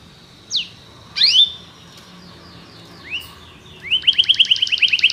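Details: Belgian canary song, intended to encourage a quiet canary to sing: a few scattered, fairly soft upslurred and downslurred notes over low background hiss, then a quick run of repeated chirps.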